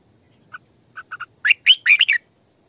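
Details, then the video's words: Several soft, low chips from a female red-whiskered bulbul decoy build into a louder, bubbling run of slurred whistled notes. "Tiếng Chim Chào Mào Mồi Hót Sổ Bọng Căng"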